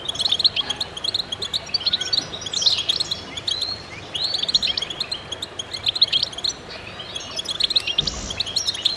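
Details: Chorus of many goldfinches singing together: dense, overlapping high twittering and tinkling chirps with occasional buzzy slurred notes, continuous throughout, plus a brief low thump near the end.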